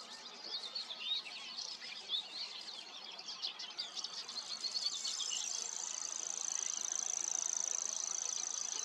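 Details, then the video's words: Common grasshopper warbler song: a high, dry, insect-like reeling trill held steadily from mid-clip to the end, preceded by a few scattered faint chirps from other birds. "Feldschwirl Gesang"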